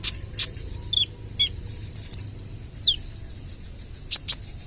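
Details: Kolibri ninja sunbird, a trotol bird in full rapid 'AK 47' shooting-style song, meant as a lure for other birds. Thin, high notes slide sharply downward, mixed with isolated bright clicks spaced about a second apart.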